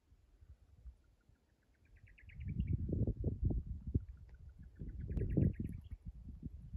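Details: Buff-collared Nightjar calling at dusk on 14 May 2021 in Coronado National Forest: two quick series of clipped notes that speed up, each ending in a higher flourish, over heavy low rumbling wind.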